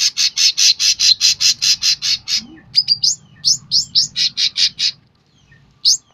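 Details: Sooty-headed bulbul singing vigorously: a steady run of about a dozen rasping buzzy notes, then quicker rising chirps and more buzzes before a pause and one last chirp.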